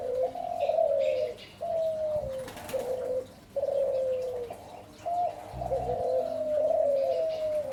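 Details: Spotted dove cooing in soft, low, slurred notes that slide downward, grouped in repeated phrases with short pauses between, plus a brief clattering noise midway and light ambient hiss.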